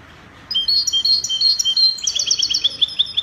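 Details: Moroccan European goldfinch singing Spanish copia style: a fast, chattering run of high, metallic tinkling notes, steadily accelerating over nearly three seconds.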